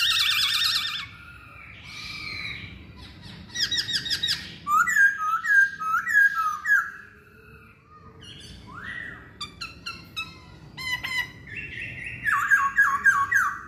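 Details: Masked laughingthrush singing a varied medley of harsh chattering bursts and clear whistled slurs around the middle, repeated several times over nearly fourteen seconds, with brief quieter gaps.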